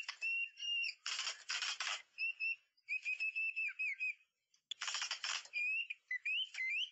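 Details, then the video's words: White-rumped shama song played with a mirror and MP3 to lure birds: high warbled whistles broken by loud harsh rasping bursts, a short pause, then more rasps and rising whistled phrases. "Mikat Murai Batu Ekor Panjang || Cermin dan MP3"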